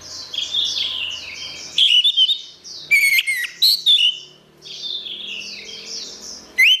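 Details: Orange-headed thrush singing a lively gacor song for a training recording. Clusters of quick, bright whistles and chips break through an ongoing background of high twittering, and a rising whistle closes the phrase.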